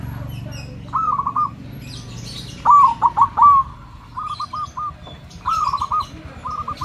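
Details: Perkutut, a zebra dove kept as a loud singing lure for other birds: several separate purring, vibrato coo phrases at mid pitch, each roughly half a second long, spaced through the recording over a faint low rumble.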